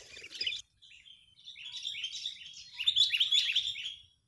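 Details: Agitated Sooty-headed bulbul serving as a trapping lure: a brief rough burst, then a sustained run of chattering, buzzy notes that grows louder with sharp accented chirps toward the end.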